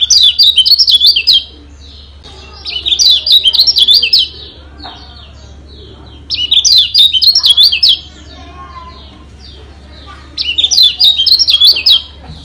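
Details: Yellow white-eye song from Lombok, used to make other birds agitated and sing harder: four bursts of rapid, high, warbled chirping about a second and a half long, each separated by a few seconds of quiet with low background hum.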